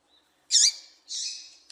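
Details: Female papa-capim seedeater call, used by keepers to stir males into singing for tournaments: two harsh, buzzy high chirps, the first loud and abrupt, the second longer and slightly softer, about half a second apart.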